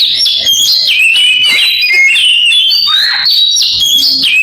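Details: Oriental magpie-robin singing in imitation of a canary: a loud, unbroken stream of high, rapid twittering trills and sliding whistled notes, with faint low rumbling underneath.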